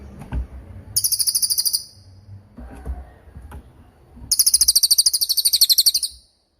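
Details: Lesser forktail, a long-lasting master recording for songbirds: two series of quick, piercing high notes, the second longer at about twenty notes, with scattered knocks and low thumps between.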